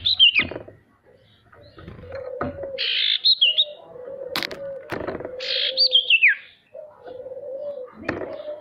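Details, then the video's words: Male sirtu singing as a lure for birds that rarely sing: brief buzzy bursts and a falling trilled phrase, over a steady low cooing tone from another bird. "Suara sirtu untuk memancing burung pemalas bunyi agar bisa rajin mau bunyi"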